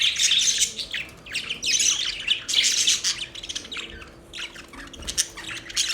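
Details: Budgerigars chirp in quick, harsh, squawking phrases, loudest in the first half, then thinning into sparser short chirps, with a faint steady hum behind.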